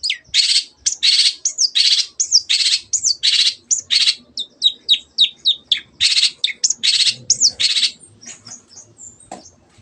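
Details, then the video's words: Long-tailed shrike (cendet) in lively 'gacor' song meant to get silent birds singing: loud harsh broadband rasping notes alternating with quick high whistled downslurs, about one to two notes per second, then a run of short sharp chips. "CENDET GACOR MENJADIKAN YANG DIAM IKUT GACOR"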